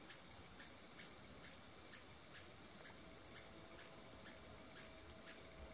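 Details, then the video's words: A female mountain-gem, either white- or purple-throated, gives an alarm series of sharp, very high, dry chips about twice a second, at 1975 m in Boquete, Panama cloud forest. Possibly she is alarmed at a soaring ornate hawk-eagle. "alarm call white or purple throated Mountain Gem female"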